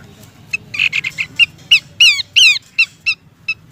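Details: Horsfield's babbler female calling a male, recorded as lure audio: a short buzzy chatter run followed by loud, drawn-out downward-slurred whistles and clipped high notes.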